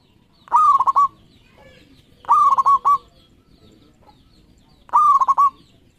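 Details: Local zebra dove, a lively champion bird with thirteen tail feathers, recorded as a lure track: three loud, rolling cooing phrases, each a quick run of throaty pulses about half a second long, repeated roughly every two seconds, with quiet background.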